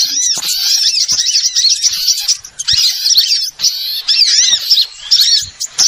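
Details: Small-bird chorus meant to lure birds into traps: shrill chattering chirps and trills from many callers, arriving in dense bursts separated by short silences.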